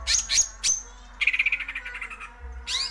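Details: Cucak ijo (greater green leafbird) singing the 'ngerol' roll: piercing high whistled notes, then a quick descending trill of short chips, closing with an upward sweeping whistle.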